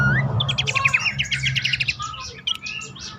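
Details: Abbott's babbler lure call for coaxing reluctant caged birds to sing. Opens with a rising whistle, then a fast series of chirping clicks and scattered thin whistled notes over a low hum.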